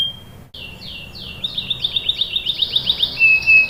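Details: Canary lure song for young canaries. A high whistle gives way to falling sweeps, then an accelerating series of sharp, ringing notes, ending on a sustained high whistle.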